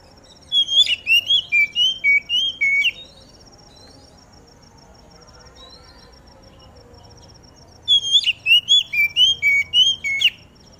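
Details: Oriental magpie-robin set out in the dew, its song used to set other magpie-robins singing: two bursts of about ten clear, swooping whistles each, separated by a long quiet gap, over a thin steady high hum.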